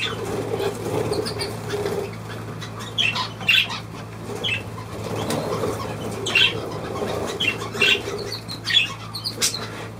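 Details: Budgerigar making short, sharp chirps scattered through ten seconds, with repeated wing flutters, soft low sounds and a faint continuous hum.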